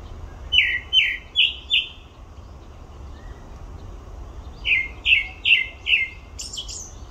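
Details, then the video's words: At Olympic Park, a grey-backed thrush gives four repeated slurred, downward whistles in quick succession. After a short gap comes another set of four, ending in thin, very high squeaky notes. Faint background rumble. "되지빠귀 울음소리"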